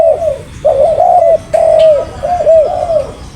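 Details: Spotted dove giving a series of soft, mellow coos, each note rising then falling, in quick groups with brief pauses; clear and close, little background.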